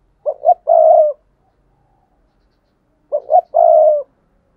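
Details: Spotted dove used as a decoy, cooing to lure wild doves: two phrases about three seconds apart, each two short low hoarse notes followed by a longer drawn-out coo, against a silent background.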